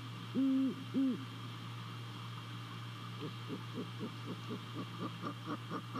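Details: Great horned owl at its nest on a live nest camera in Savannah, December 28, night, hooting: two deep, steady hoots close together, then a series of short, softer, regular calls, with a constant low hum behind.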